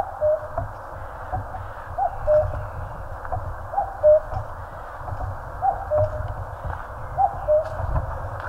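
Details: Common cuckoo calling in the mountains of Korea: a clear, low two-note cuck-oo, the second note lower, repeated about every one and a half seconds, five times, over a steady low rumble and faint hiss.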